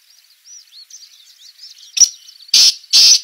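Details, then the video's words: Black francolin in a jungle: soft thin chirps give way to three loud, harsh, grating bursts delivered in quick succession within about a second. "Blackcock Bird Chirping In a Jungle"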